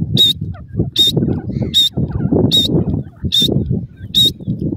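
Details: Young francolin calling in forest, giving thin high-pitched piping notes about once every 0.8 seconds, six in all, against constant low rumbling noise.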